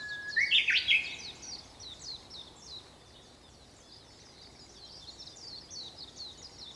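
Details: Japanese bush warbler at sunrise on 4 May 2021, in the early morning: a held whistled note swings up into a loud, tumbling burst of notes. Afterwards, a dense background chorus of thin, high chirps from other birds continues.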